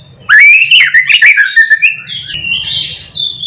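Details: White-rumped shama in full morning song used to provoke other shamas: a loud rising whistle leads into a run of quick varied notes, then softer high warbling, with faint low hum behind.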